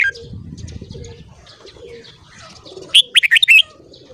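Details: Red-whiskered bulbul singing in the morning. Soft distant chirps lead to one loud, quick phrase of about six clear, bouncing whistles near the end.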